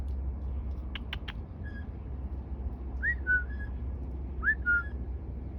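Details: Blue jay making an unusual call: a few sharp clicks, then two short whistled notes, each rising then dropping to a flat tone, about 1.5 seconds apart, over steady low background rumble.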